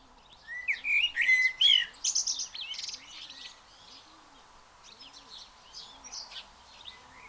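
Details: Blackbird singing freely: a burst of varied, rich whistled phrases and chattering notes in the first half, then softer, fainter twittering phrases; a steady low hum runs underneath.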